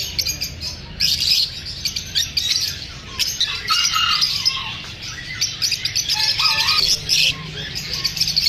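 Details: Lovebirds chirping after feeling unsafe from shooting: many birds giving high, shrill overlapping chirps and short squawks in steady chatter, some louder bursts near the start and end.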